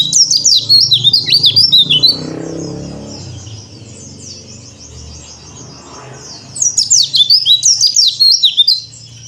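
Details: Bali yellow-breasted white-eye (pleci dakbal), a cor dor style song used as therapy audio for untrained white-eyes: rapid high twittering bursts for two seconds, a quiet gap with low rumble, then more fast chattering phrases.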